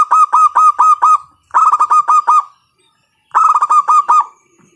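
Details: Local zebra dove with a loud voice, recorded as a lure to stimulate other doves to sing: three bursts of rapid, staccato cooing notes, each phrase about a second long with short pauses between, in an otherwise quiet setting.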